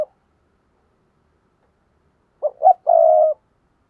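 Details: Spotted dove decoy call, played to provoke other doves: after a short silence, three low cooing notes, a brief coo, a rising one, then a drawn-out steady coo of about half a second. The background is quiet.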